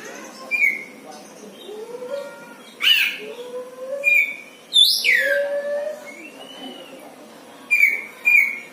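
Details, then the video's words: {'caption': 'Caged Oriental magpie-robin kept at home as a songbird, making strange sounds: sharp sweeping whistles, a loud downward-swooping note and short buzzy bursts spaced a second or two apart, over faint low background murmur.'} "KACER NGELUARIN SUARA ANEH"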